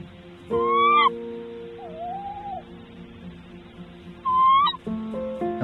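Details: Tawny owl at a nest with newly hatched chicks, April–May 2023, during feeding. A breeding pair tends the owlets. Two sharp, rising 'kewick' calls a few seconds apart, with soft background music.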